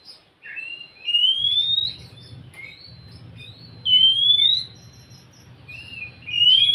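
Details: Oriental magpie-robin song meant to stimulate a silent bird: rising whistled notes repeated roughly every two to three seconds over a steady low hum.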